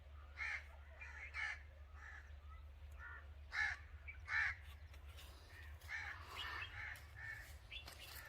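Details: An angry crow's rough caws come in scattered bursts, the loudest pair near the middle, with fainter calls after them and a low hum throughout.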